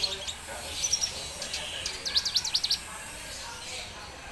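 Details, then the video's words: A red siskin sings a high, thin twitter: scattered sharp notes, then a quick run of about seven bright, rapidly repeated chips, over a soft background hiss. "Red Siskin singing"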